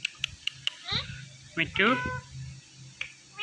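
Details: Indian ringneck parrot mimicking words: a few short clicks, then a burst of speech-like, sliding harmonic syllables around the middle of the clip, with a quieter tail and faint room noise.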